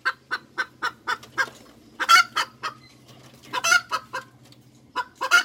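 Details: Hens cackling: an even series of short clucks for two seconds, then three loud, stretched squawks interleaved with more clucks, over a faint low hum.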